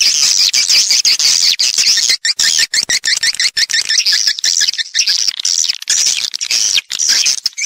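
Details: Swiftlet lure sound, played to attract swiftlets into a house to roost and nest: many birds overlapping in a thick wash of high, shrill twitters and rapid chirps, almost without pause.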